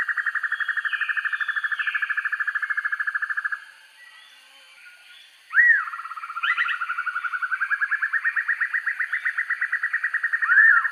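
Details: Black-and-yellow broadbill recording used for training birds: a steady rapid pulsed trill stops abruptly, a short near-silent gap follows, then a sharp upslurred note opens a new trill that slowly rises and grows louder.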